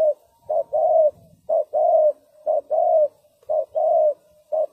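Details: Spotted dove used as a decoy for ground trapping, giving low, hollow coos in short-long pairs, a brief note then a longer drawn coo, repeated about once a second; a faint low rumble underneath.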